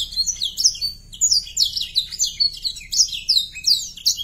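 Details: Canary song used as a lure sound to make young canaries sing quickly and to arouse breeding condition: high, varied phrases of descending swept whistles and twitters, repeated in quick succession without pause.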